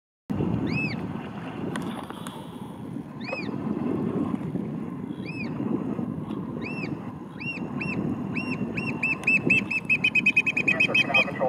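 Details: A Eurasian oystercatcher near Gravel Island in Hammett Cove, Sippican Harbor, Marion, MA, gives loud, shrill piping notes, spaced at first then speeding into a rapid excited series, over a steady low rumble of wind or engine.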